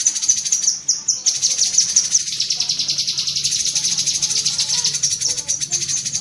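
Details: Tembakan cerecetan of a cucak kinoi bulbul, used to train pet songbirds: a few sharp high notes, then a long, even, rattling chatter of thin, buzzy chips running to the end.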